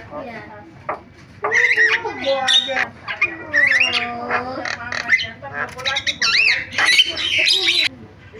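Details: Javan myna giving a varied song: harsh squawks, nasal harmonic notes and rising and falling whistles, in loud bursts broken by short pauses.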